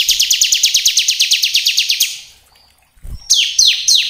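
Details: Lure song of a bar-winged prinia: a long, fast, even train of about twenty high chipping notes over two seconds, a pause, then a few louder sweeping notes.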